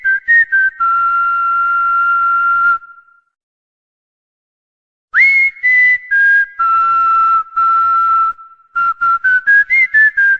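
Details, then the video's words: Cockatiel whistling the anthem of the Corinthians club: short notes and a long held tone, about two seconds of silence, then an upward-sliding note followed by clipped repeated whistles forming a tune. "ASSOBIO CALOPSITA - HINO DO CORINTHIANS"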